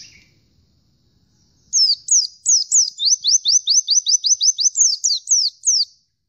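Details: Oriental white-eye in vigorous song, a single run of about twenty high, sharp descending notes delivered rapidly and evenly after a near-silent start.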